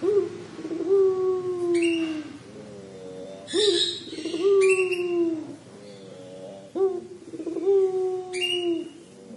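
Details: Puter pelung collared dove in its crying call, with drawn-out husky coos, each falling slightly in pitch and repeated about every two to three seconds, broken by brief rasping noise.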